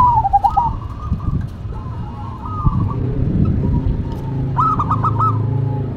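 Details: Local and cemani zebra doves dueting, with wavering coos early on and a quick stuttering run of bright notes near the end, over heavy low-pitched background rumble.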